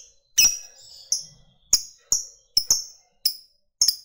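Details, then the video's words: Fighter lovebird giving sharp ngetik ticks: loud, bright, abrupt high chips at irregular gaps of half a second or so, some doubled, with a brief thin whistle between. "FIGHTER NGETIK LANJUT NGEKEK PANJANG"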